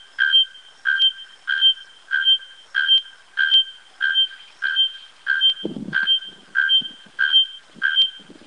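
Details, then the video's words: Bare-throated bellbird delivering a steady series of loud, ringing metallic notes, about one and a half per second, evenly spaced and hammer-like; a brief low thump partway through. "Canto da Araponga"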